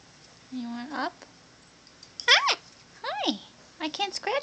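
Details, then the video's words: A female Bare-eyed Cockatoo, one year old and kept as a pet, repeats learned words like "hi" to its owner. Four harmonic syllables, some rising and some falling, with a raspy burst near the end. "Yuki says Hi"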